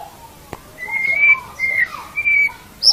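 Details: White-rumped shama song used to train songbirds: three clear level whistles with soft gliding notes between them and a sharp click.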